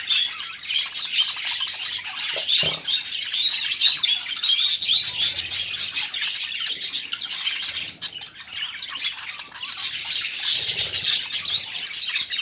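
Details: White pet budgerigar looking for a mate, with other budgies: long unbroken high warbling chatter mixing fast chirps, buzzy notes and brief whistles, steady and busy, with a low thump near the start.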